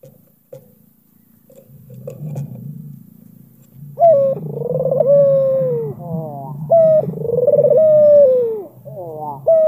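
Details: Albino Barbary dove with a black collar, calling to provoke a rival's reply. Low rumbling background for four seconds, then loud rolling coos that rise and slowly fall, each followed by quick stacked short notes.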